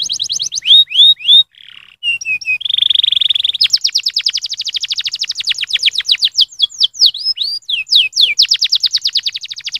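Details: Canary giving stimulating song meant to rouse other canaries: loud, varied phrases of whistled rising and falling notes, a sustained buzzy trill, then fast rattling trills and sweeping slurred whistles.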